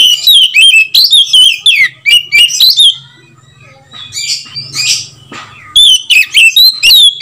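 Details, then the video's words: White-rumped shama calling to provoke other shamas into song: fast series of loud whistles and chattering notes, a quieter stretch of scratchy notes with low hum, then whistled bursts return. "SUARA PANGGILAN KACER | KACER LAIN SEKETIKA IKUT GACOR DENGAN PANGGILAN KACER INI"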